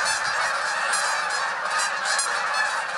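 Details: Hundreds of Canada geese taking to the sky together, a dense, continuous chorus of overlapping nasal honks with no gaps, steady and loud for the whole three seconds.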